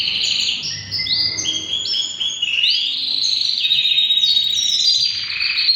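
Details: A three-year-old white male canary sings a bright, continuous song of long, steady whistled notes that step up and down between high pitches, with some held tones and gliding shifts.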